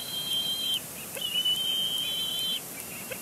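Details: Bald eagle chick at its Big Bear Lake nest, April 2022, vocalizing at the adult male during a tantrum; two steady high whistled squeals, the second longer and slightly lower, over soft background hiss.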